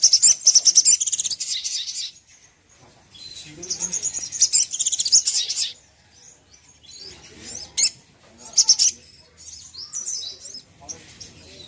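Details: Little spiderhunter sound used to provoke another spiderhunter into anger: rapid, sharp high chirp series in bursts, with trills and short pauses between phrases.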